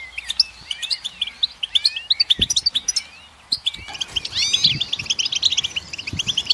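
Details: Goldfinch song: fast, lively twittering of high chirps, trills and short rising and falling slurred notes, delivered in busy bursts with a brief pause near the middle, plus a few faint low knocks.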